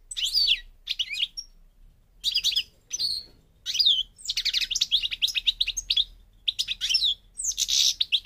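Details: European goldfinch song from North Africa, the Parva Moroccan form: bursts of rapid, high twittering notes with buzzy trills and chirps, in phrases broken by short pauses, with a faint low hum beneath.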